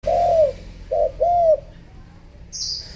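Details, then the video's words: Female spotted dove cooing to stimulate males: a long low hollow coo, then a short note and a slurred arched coo, followed by a brief high chirp from another bird and faint background noise. "chim cu mái gáy thúc gù kích trống"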